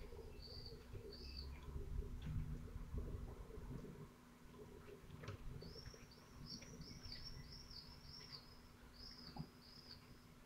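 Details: Falcon chicks at twelve days, Théding, 22 June 2023, attempting to eat prey too large to swallow easily. Two early whistles, then a run of short, rapid high arched notes, over low rumbling and shuffling noise.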